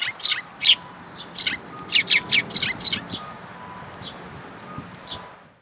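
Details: Several sparrows come for food at Mizukami Bridge, 6 September 2022, giving about eight bright, clipped chirps in the first three seconds before fading to faint tweets, with a thin steady high tone running underneath throughout.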